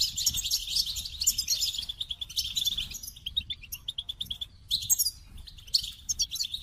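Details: Goldfinch singing a dense, jangling twitter of high tinkling notes and buzzy trills, then a stretch of quick repeated chips before more fluid warbling phrases; steady low background hum.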